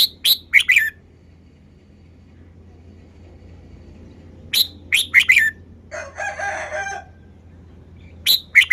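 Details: Red-whiskered bulbul performing its song style in short bright phrases of three to four quick chirped notes, repeated after pauses of several seconds, with a brief rustling burst partway through and a steady low hum beneath.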